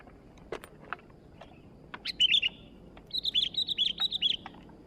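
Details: Newly acquired sooty-headed bulbul singing vigorously: a few scattered clicks, then a short burst of bright warbled notes, followed by a longer run of about nine quick, clear whistled notes at an even pitch over faint background hiss.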